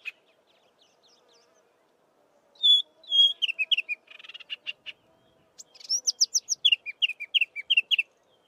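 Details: Chestnut-vented warbler delivering a melodious song: pure whistles and dropping slurred notes, a dry buzzy trill, then a rapid series of repeated rising-falling notes.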